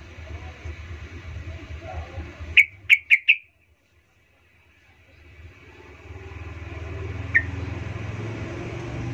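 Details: Sooty-headed bulbul lure call used to provoke other birds into agitation: a quick run of four bright, clipped chirps, then silence and a lone chirp later, with rising traffic rumble in the background.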